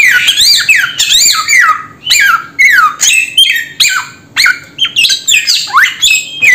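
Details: Loud samyong bird calls: rasping squawks rich in overtones that arch up and then slide down, in uneven bursts with short gaps, growing quicker toward the end.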